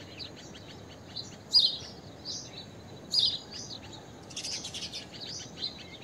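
Blue-tailed bee-eater giving short, high, rolling chirps in loose bursts about every one to two seconds, over a steady low rumble of background noise.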